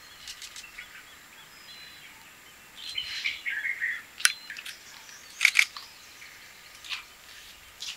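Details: Blue-capped rock thrush giving a brief burst of warbled, slightly falling notes, then a pair of sharp chirps, with a single loud click and faint high calls of other birds behind.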